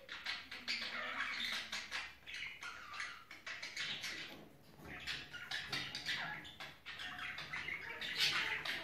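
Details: Mating-season budgerigar chatter: continuous scratchy, clicking warble of fast broadband bursts, mixed with squawky notes and little rising squeaks, barely pausing across the recording.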